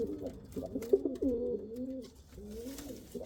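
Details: Rolling low pigeon cooing: a burst of quick throaty notes, then a long, even coo that slowly tails off.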